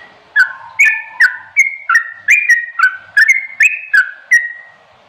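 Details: Rapid chattering ropelan song of a sooty-headed bulbul, clear and close: bright whistled notes jumping up and down in pitch, roughly three per second, each with a sharp click-like onset, against a quiet background.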